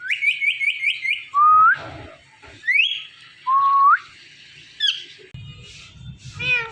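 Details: Indian ring-necked parrot kept as a talking pet, said to say mummy papa: five quick repeated whistled notes, then loud upward-sliding whistles alternating with rasping bursts, and a final harmonic, speech-like call.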